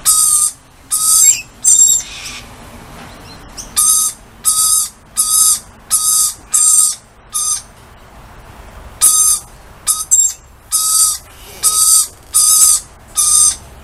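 Harsh, buzzy lorikeet screeches come in rapid runs, about one and a half per second, in two bursts separated by a short pause. There is little else in the background.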